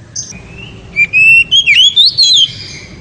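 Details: Loud ngeriwik song of an oriental magpie-robin, sung to excite a female: a soft thin whistle, then ringing whistled phrases climbing step by step in pitch with quick slurred ornaments.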